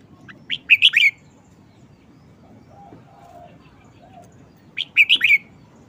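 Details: Red-whiskered bulbul kept as a cage bird, showing its short song style and singing often. Two crisp phrases of four or five fast, piping notes about four seconds apart, with a few faint soft calls in the quiet gap.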